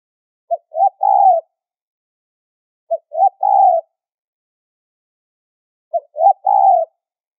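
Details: High-pitched spotted dove coo used as a trapping lure; each phrase starts with two brief notes followed by a drawn-out, slightly wavering coo, three phrases spaced two to three seconds apart, no other sounds.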